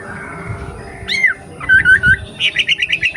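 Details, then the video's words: Young wild wambi from the forest singing: short chirps, a downward-bending whistled note, then a quick series of clipped, buzzy high notes repeated about six times a second. "KICAU WAMBIE MUDA HUTAN"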